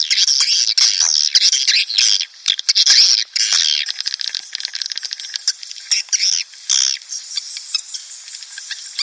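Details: Playback lure of swiftlets for drawing breeding colonies into a nest house: intense buzzy chatter at first, which thins after a few seconds into scattered chirps and clicks.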